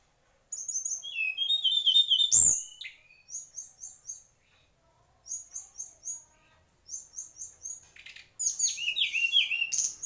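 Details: Mangrove whistler singing: clear, high whistled phrases, quick runs of short repeated notes alternating between very high and lower pitches, in bursts separated by brief pauses, ending in a loud, rich, slurred flourish.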